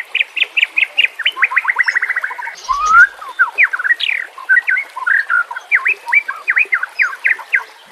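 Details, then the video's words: White-rumped shama (murai batu) harsh 'nembak kasar' masteran song for training birds: quick repeated clipped notes speeding into a trill, a brief knock, then sweeping whistled slurs and evenly spaced sharp chips. "masteran nembak kasar cocok untuk murai batu"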